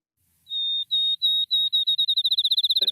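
Field Sparrow song: clear, high whistled notes, slow at first, then speeding into a rapid trill like a dropped ping-pong ball bouncing. A brief soft knock sounds near the end.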